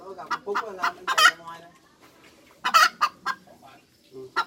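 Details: Cackling hens give quick, uneven clucks that build into loud, raspy squawks, with soft lower clucking between the bursts.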